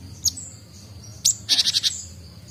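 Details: Gelatik Batu, or great tit, a juvenile still learning its voice and newly managing ngombyok chatter: two lone high upswept notes, then a fast string of five bright, evenly spaced ringing notes.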